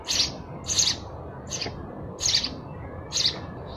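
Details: Five loud, noisy sparrow chirps spaced irregularly, each a brief burst reaching very high, over faint low rumble.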